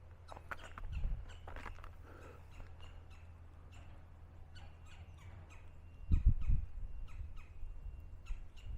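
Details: Two Red-bellied Woodpeckers mob a perched Barred Owl with sharp, rolling chiv alarm calls, repeated several times a second, over low wind rumble and handling bumps, in the Post Oak Savannah woods of Stephen F. Austin State Park, Texas.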